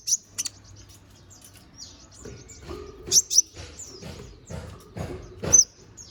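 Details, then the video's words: Konin bird singing in lively style: piercing high chirps and downslurred thin notes mixed with rustling, twittering bursts building toward the end. "MASTERAN BURUNG KONIN GACOR NGOBRA FULL ISIAN!"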